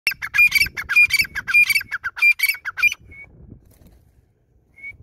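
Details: A grey francolin (white teetar) calls in a loud, harsh, high-pitched series of squawking notes, almost two per second for three seconds, then two faint thin whistles and quiet.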